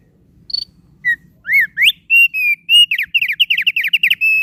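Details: Lively, sweet song of the thick-billed heleia: scattered rising chirps and upslurs build into a quick rattling burst of bright whistled notes, ending on one held whistle.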